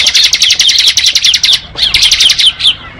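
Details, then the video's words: Bar-winged prinia giving rapid, bright, high chirps in a fast run, pausing once briefly before a second burst of repeated notes, loud and close. "Suara Burung Ciblek Ngebren"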